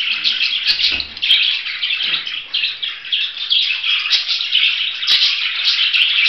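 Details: Chattering budgerigar giving a rapid, uneven string of buzzy chirps and squeaks, with soft thuds near one second and a few clicks later.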